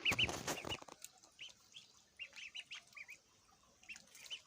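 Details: Baby ducks feeding: a loud rustle at the start, then soft, clipped high peeps in ones and pairs, spaced irregularly.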